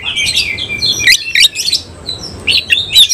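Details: Brief burst from a semi-Cililin Oriental magpie-robin displaying with its tail open. Warbled whistles blend with sharp clicks, followed by a quieter pause and a few more whistled notes.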